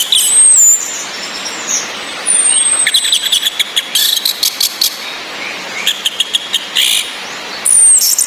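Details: Female orange-headed thrush giving ngecis calls to boost males' breeding drive: thin high whistles at the start and end framing rapid, rattling chirp trains, with rain hissing throughout.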